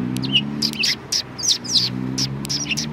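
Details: Sparrows at a Tenmangu shrine, Japan, recorded 1 March 2020; a flurry of short, high chirps and tweets, several birds calling in quick succession over a steady low hum.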